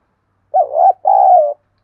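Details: A spotted dove gives a single strong two-part coo, meant to trigger answering and fighting from wild and decoy doves. The first note wavers and rises; the second is a longer, even, slightly descending hoot.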